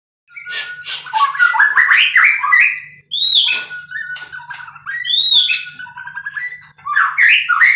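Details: Captive-bred white-rumped shama singing a varied run of clear whistles, rising slurs and dry chattering notes, with brief pauses between loud phrases.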